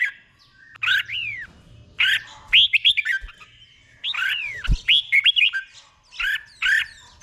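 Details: Caged red-whiskered bulbul singing a slow, clear 'beun' (doubled) song played for birds to copy: bursts of bright whistled, arching notes that drop and rise, grouped in short phrases with pauses between them.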